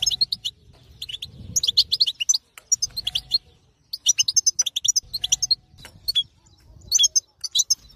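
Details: Wild European goldfinch song mixed with twittering meant to stimulate, a lively stream of high tinkling chirps and trills in quick clustered bursts, with faint low rumbling noise underneath.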